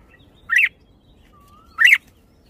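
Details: Red-whiskered bulbul giving two separate bright, warbled notes over a second apart, with a faint thin whistle between them.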